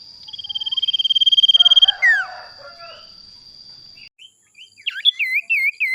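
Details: Male sirtu gives a fast, even trill of high notes, about fifteen per second, over a steady high tone, followed by sharp, looping whistles; recording meant as a lure call.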